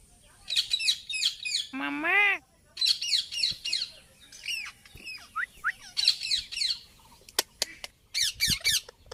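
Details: Indian ringneck parakeet talking and making noise: rapid runs of shrill, chattering squawks, one lower rising-and-falling harmonic call near the start, then sharp clicks and more screechy bursts toward the end.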